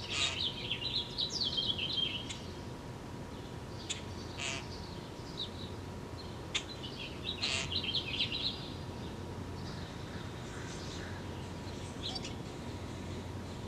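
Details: European starling returning with a worm: bursts of high chattering, squeaky whistles and sharp clicks in two main runs, early and midway, over steady background noise with a constant low hum.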